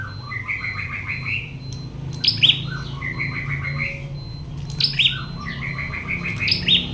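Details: Prinia trained for fighting, uttering repeated buzzy trilled phrases followed by sharp high chip notes, recurring about every two and a half seconds over a thin steady tone and low rumble.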